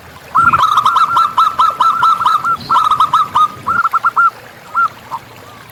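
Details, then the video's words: Local wild zebra dove singing actively, a long run of rapid staccato cooing notes at a steady mid pitch, bunched into phrases and then breaking into a few spaced, separate coos near the end. "Perkutut Lokal Gacor Audio Jernih Tanpa Noise"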